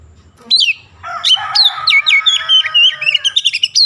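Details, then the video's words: Oriental magpie-robin singing hard, its song blended with Javan myna imitations: one whistled downslur, then a harsher, grating passage under a stream of quick, looping whistles. "KACER GACOR BESET SUARA JALAK KEBO"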